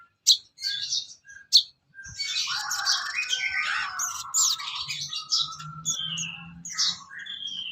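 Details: Sooty-headed bulbul recorded as training material for songbirds: sharp opening chips, then a long stretch of dense mellow warbling and chattering phrases with a faint low hum beneath.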